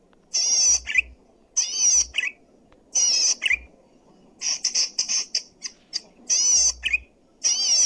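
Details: Zitting cisticola, presented as loud, clear song for luring wild birds or training other birds: harsh buzzy wavering bursts of about half a second, each ending in a short lower chirp, repeated with short pauses, then a run of clipped notes.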